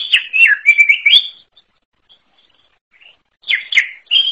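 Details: Greater green leafbird delivers a fast jumble of twittering and slurred whistled notes, falls silent for about two seconds, then resumes with another short burst.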